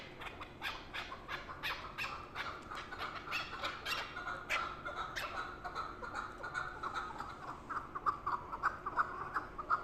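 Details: Chukar partridge giving a long run of quick clucking chuck notes, nearly three per second, starting softer and growing louder toward the end, over a quiet background.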